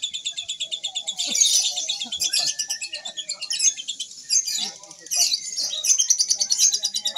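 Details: Lovebird in a songbird training contest, Mahadewa Single Fighter, Indonesia: bursts of rapid, shrill, rattling trill broken by short pauses, over background chatter of other birds, a crowd's voices and faint music.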